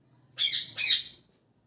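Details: Parrot chirping at morning: two loud, rasping high chirps in close succession, with a faint low hum underneath.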